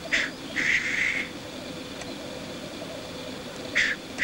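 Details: During black grouse lek display, loud hissing sneeze calls burst out, two at the start including one long hiss, then two more near the end, with soft bubbling continuing beneath.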